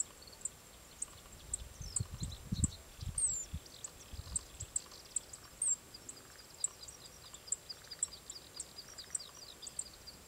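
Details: A male Japanese reed bunting (ochre-rumped bunting) in highlands of Kumamoto prefecture, Japan, gives thin, very high, down-slurred call notes, with faint high ticks and low wind rumble early on.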